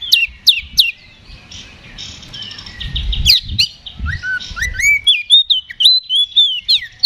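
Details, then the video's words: Oriental magpie-robin ngeplong fighting song, used to provoke a reply: a few sharp descending notes, a blurred warble with rumbling, then a lively run of whistled rising and falling phrases. "KACER GACOR NGEPLONG TARUNG !! PANCINGAN KACER PALING AMPUH BUAT MENAIKAN EMOSI KACER AUTO RESPON"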